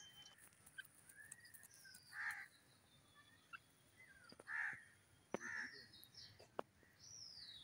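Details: Grey francolin calling in a forest: harsh, loud, rasping notes in short bursts a couple of seconds apart, with thin high whistles from other birds and faint background hiss.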